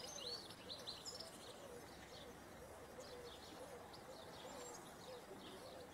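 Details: European goldfinch mating in the wild: thin, high twittering chirps repeated in quick bursts throughout, over a steady broadband hiss with faint lower notes beneath.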